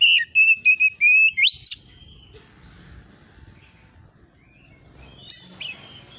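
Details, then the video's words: Oriental magpie-robin lure recording to provoke replies: quick wavering whistles and a rising upslurred note, a long quiet stretch with faint background hum, then two sharp high chirps. "KACER AUTO NYAUT EMOSI KONSLET masteran burung kacer nembak isian"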